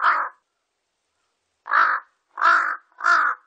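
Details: One hoarse caw, a silence of over a second, then three quick rasping caws in close succession from a Large-billed crow, recorded in 2020 by the National Institute of Biological Resources.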